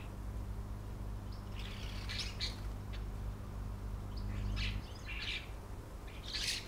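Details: Juvenile common starlings, showing traces of adult feathers, in Southport, Lancashire, in July 2011, give harsh, rasping bursts in short clusters every second or so over a steady low rumble that drops away partway through.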